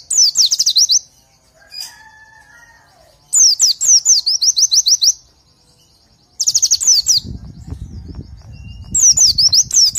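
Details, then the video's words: Oriental white-eye tutor song for training birds. Four bursts of quick, high, descending notes are separated by pauses. There are faint whistles between the bursts and a low rumble near the end. "Masteran Untuk Pleci"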